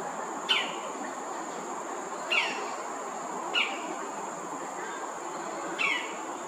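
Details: A greater racket-tailed drongo, a common resident at Thomson Nature Park, Singapore, calls loudly from a perch: four sharp, metallic, slightly descending notes, spaced one to two seconds apart, over steady background hiss and a thin high whine.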